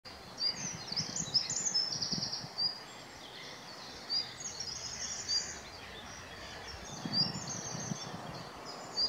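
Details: A Common Chiffchaff giving a Tristis-like call: thin, high, flat peeping notes spaced irregularly, over a steady outdoor hiss, with a faint low rumble and other twittering.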